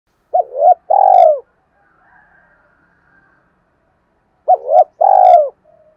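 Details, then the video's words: Spotted dove calling to lure wild doves in: two loud coo phrases about four seconds apart, each a short wavering note then a longer, steady, falling cooo, with faint soft cooing between. "tiếng chim cu gáy kích bổi nhanh nổi, bổi nghe rất nhanh về cội"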